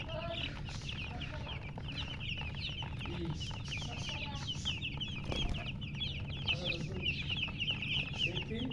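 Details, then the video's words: A large group of baby chicks chirps continuously, dense high peeps throughout, with scattered soft lower sounds and a thump near the middle, low hum in the background. "Witty MURGI Baby "Chicks Chirping" Sound"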